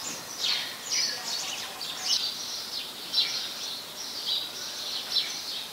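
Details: Very common resident house sparrows, Ubon Ratchathani, Thailand, 17 January 2020: continuous overlapping high chirps and chatter, several short notes each second with no steady rhythm, over a hissing background.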